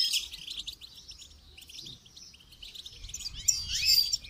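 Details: Goldfinch song for training: an opening twittering burst, softer rapid chatter, then a louder trilled, liquid phrase toward the close.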